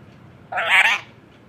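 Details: A caged Indian parrot, kept as a talking bird, gives one brief, raspy screech of about half a second against a quiet room background.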